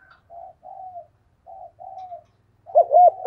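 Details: Spotted dove, thúc gù cooing for bird training: four soft, flat coos in two pairs, then a loud, quick, bouncing coo phrase at the end.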